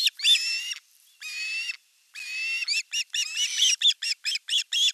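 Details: Osprey nest in Satakunta, Finland, 5 August 2024: the elder chick attacks the younger during a fish delivery. Three drawn-out, harsh whistled calls come first, followed by a quick series of short, rising chirps.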